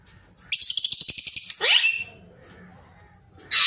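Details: Pet ringneck parrot known for talking: a fast rattling burst of about a dozen clicky pulses, ending in a downward-sweeping shriek, then silence before a final sharp note.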